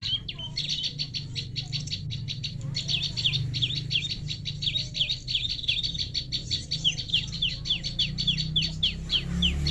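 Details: Prinia call used as a lure for trapping birds: a fast, dense run of high, sharp chirps, about three a second, over a steady low rumble.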